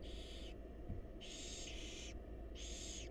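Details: In a nest box, wild barn owl young beg while the mother brings food. Three long, rasping hiss bursts, each about half a second or more, sound against a constant low rumble.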